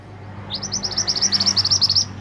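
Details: Mantenan gunung delivering a rapid, high-pitched trill of about fifteen crisp, evenly spaced notes lasting around one and a half seconds, over a faint low hum.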